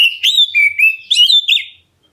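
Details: Calling black-breasted Oriental magpie-robin, used to make other birds answer. A rapid run of loud, clear whistles steps up and down with slurred, slightly harsh notes and no break, then stops.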